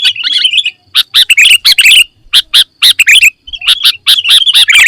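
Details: Sooty-headed bulbul full isian song: an opening warbled phrase, then groups of rapid, sharp chirps in bursts with short breaks, closing in a fluid twittering run.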